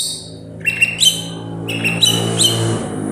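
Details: Greater green leafbird, a kept songbird from Banyuwangi: a few bright whistled notes with upward-stepping harmonics, some slurred, over a steady hum and background noise.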